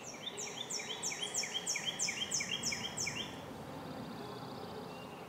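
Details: American robins at a nest while adults feed their nestlings: rapid series of thin, high notes, each a short downslurred chirp, run together at about three per second for three seconds before fading to quiet background hiss.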